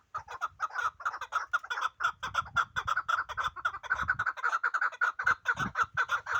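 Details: Chukar from the Pamir, called the best chukar, delivering a long unbroken run of rapid clucking chuck notes that speed up and crowd together toward the end, with light low knocks.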